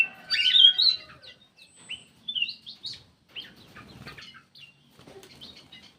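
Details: Black-crested bulbul giving a lure call, opening with a loud, harsh, chirpy phrase, followed by softer slurred whistles and scattered chirps over light background rustle.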